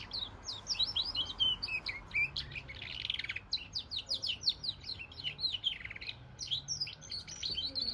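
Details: Goldfinch × canary hybrid singing a fast, continuous twitter of high chirps, trills and sliding notes with short bursts and brief pauses, over a low steady background hum.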